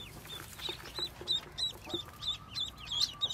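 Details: Short bright cheeps from just-hatched yellow Muscovy ducklings, one of 25 hatched by a white mother duck, repeated about three per second, high and clear, with a faint steady tone in the background.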